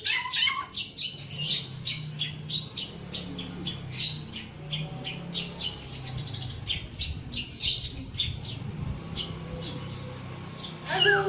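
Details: Male samyong singing energetically, a series of sharp chirps and squawky notes repeated through the clip, with a steady low hum in the background.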